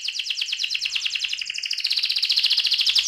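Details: AF canary delivering its rolling ngerol song style: a continuous, very rapid rolling trill of high pulsed notes, steady in rhythm and growing louder and brighter toward the end.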